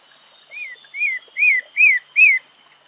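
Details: Pale-breasted Thrush, known in Brazil as Sabiá-barranco, recorded in the wild: five arched whistled notes that grow louder, each sliding down at the end, roughly every 0.4 seconds, over a steady high insect-like hum.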